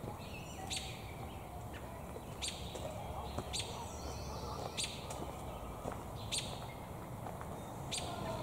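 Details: Repeated brisk chirps, about seven spaced over eight seconds, from an American robin holding a mouthful of damselflies in a tree, possibly seeking a mate; steady rumbling background noise.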